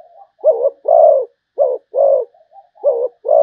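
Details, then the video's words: Zebra dove cooing: three paired phrases, each a short warbled note followed by a longer, rolling coo, with faint soft notes between phrases. "chim cu gáy malaysia/ cu gáy malaysia"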